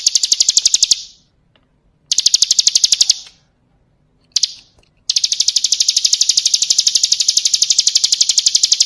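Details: Bar-winged prinia 'kristal' song for training birds: short, clipped bursts of high, rapid chattering, then one long continuous trill of evenly repeated sharp notes filling the last four seconds.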